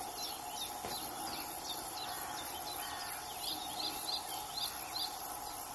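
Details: Melodious warbler giving a rapid, jumbled sequence of high twittering and slurred notes throughout, fairly distant, with insect hiss and a low constant hum.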